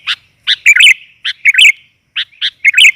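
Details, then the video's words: Sooty-headed bulbul female luring call: short chirps followed by bubbly warbled phrases, repeated in three groups with clear silent gaps between. "BURUNG KUTILAN GAJOR, COCOK UNTUK PANCINGAN"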